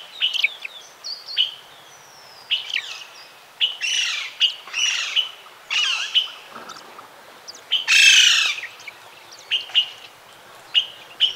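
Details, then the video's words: Saffron toucanet (Pteroglossus bailloni), a bird of misty montane South American forest, gives an irregular string of harsh, nasal, high-pitched notes, some sliding down, mixed with short squeaky chirps every second or so. "Saffron Toucanet's Melodic Calls"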